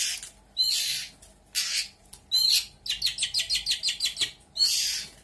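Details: Lampung long-tailed shrike singing imitations: broad harsh rasping notes, then a rapid series of about ten sharp repeated chips, closing with another harsh burst.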